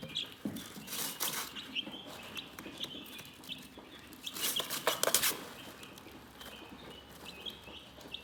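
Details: Chickens keep up calm, fast high chirping, roughly three to four peeps a second, mixed with loud bursts of rustling or scratching near the start and again midway.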